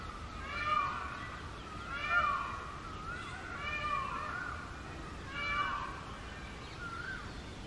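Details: Short-tailed immature male Indian peafowl calling on a road during the summer breeding season. Loud, harmonic, wailing cat-like screams rise and fall, with about four main cries spaced one to two seconds apart over steady background hiss.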